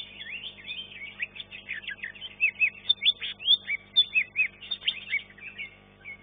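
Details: Green leafbird singing in competition, first class, third place: continuous lively twittering that builds into a sequence of loud, bright whistled chirps, roughly two per second, over steady hum.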